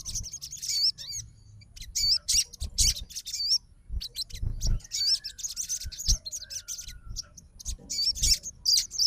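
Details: Crimson sunbird kept for fighting, reacting to another sunbird's song with irregular high, sharp twitters and short, fast trills scattered throughout, with low background thumps.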